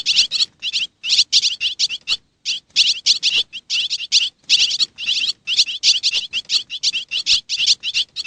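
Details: Swallow calls from Xiangkhouang, Laos: a steady, busy stream of high, clipped chirps in quick clusters with brief pauses, like several birds twittering together without a clear rhythm.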